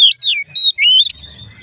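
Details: Oriental magpie-robin song, said to make other magpie-robins start singing: a short burst of loud, clear whistled notes sliding downward, then a rising whistle ending in a quick flourish, over faint low background hum.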